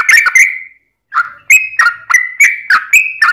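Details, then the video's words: Vocal yellow-vented bulbul singing its fighting song to draw replies from rival bulbuls, with bubbly, slurred chirps jumping between two pitches, a brief silence, then a quick series of gurgling notes. "trucukan gacor tarung ROPEL PANJANG buat pancingan trucukan agar bunyi"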